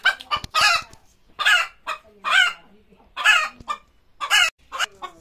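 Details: Chicken screaming before laying eggs: loud, harsh, squeaky squawks in bursts about once a second, each a rough cackle with strained high overtones, separated by brief quieter low murmuring clucks.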